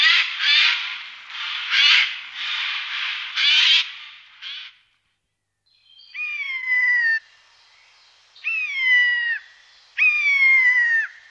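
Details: Eurasian jay recorded in the Wittlicher Tal, 2018, giving a fast series of four or five harsh screeches, then after a pause a set of clear, drawn-out, downslurred mewing whistles repeated about every two seconds.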